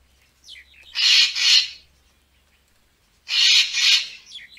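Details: Racket-tailed treepie, played as a photography lure, giving two loud groups of paired harsh rasping notes about two seconds apart, each followed by short thin squeaky notes.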